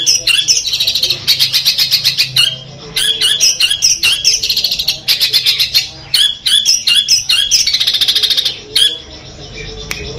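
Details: Kept long-tailed shrike from Madura, Peterpan type, delivering full Armagedon material: bursts of rattling trills alternate with scratchy, squealing high notes in a restless, uneven stream with brief pauses.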